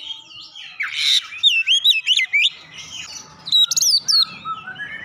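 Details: Kacer song with Java sparrow mimicry: rough rasping start, then a rapid burst of bright curling whistles, quieter gap, and a few more high chirps ending in a falling whistle, low hum behind.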